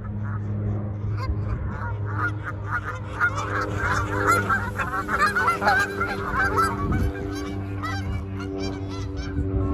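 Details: A flock of Canada geese landing and flying off, a dense chorus of overlapping nasal honks building towards the middle, over a steady low droning hum.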